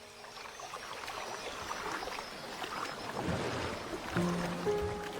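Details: Soft music swells over a low watery rush, with no animal voice standing out.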